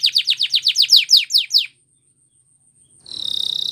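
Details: Spanish Timbrado canary song for training: about ten rhythmic, falling, metallic notes in quick succession, a silent gap, then a fast, even, high trill starting up.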